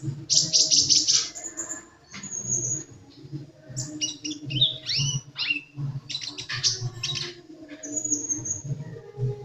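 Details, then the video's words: Sunbird in full song: a fast opening trill of very high notes, then varied downslurred whistles and chattering chips, with a soft low hum underneath. "Burung kolibri gacor"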